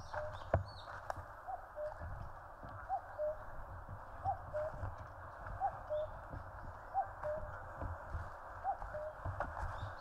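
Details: Distant common cuckoo in the Korean mountains, soft paired notes with the second lower, repeated steadily about every 1.4 seconds, seven calls against a hissing background, with a few sharp clicks.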